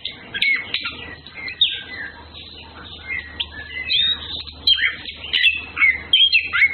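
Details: Orange-headed thrush (Anis Kembang), males and females in courtship, giving scattered sweet whistled notes and brief slurred phrases over a faint low hum, growing busier and louder toward the end.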